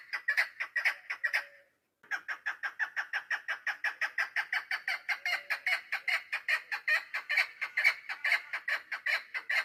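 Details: Female chukar partridge kept for hunting, recorded 3 May 2025, giving a long run of harsh, clucking chuck notes about two and a half per second, a short pause near the start, then a steady unbroken series.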